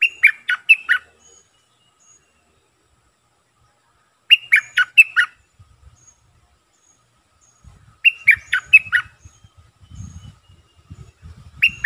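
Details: Streak-eared bulbul used as a decoy, singing rapid bubbly phrases of several slurred notes in three bursts, with low rumbling and knocking noises in the background toward the end.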